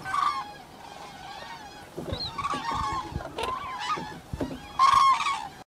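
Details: Several cranes frolicking in farm fields give overlapping honking, trumpeting calls in bursts, loudest near the end, over a faint background murmur.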